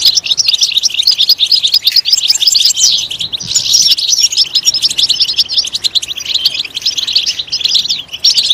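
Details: Loud European goldfinch song made of tinkling, twittering phrases and buzzy trills, flowing almost without a break, with short quieter gaps between bursts.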